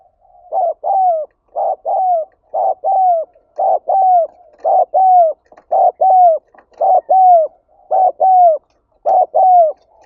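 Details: Spotted dove calling to stimulate and lure other birds: paired mellow coos, each a short note then a longer falling one, repeated steadily about once a second in a quiet setting.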